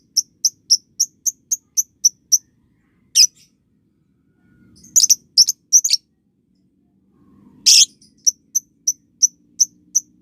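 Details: Lovebird training recording for youngsters learning ngekek. An even series of high, clean chirps is broken by harsh buzzy bursts and a chattering cluster, then the regular chirping resumes. Soft low rumbles are heard in the gaps.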